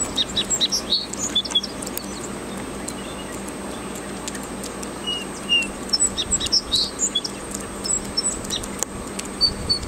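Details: Unidentified bird singing outdoors: thin, high whistled notes and quick chirps in scattered bursts, busiest in the opening seconds and again toward the end, over a steady background hiss and a faint constant high tone.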